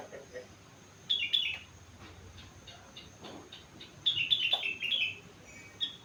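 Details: Sooty-headed bulbul, four months old, singing imitated rengganis phrases: two lively bursts of chattering whistled notes sliding downward, with soft clicks and a faint hum between.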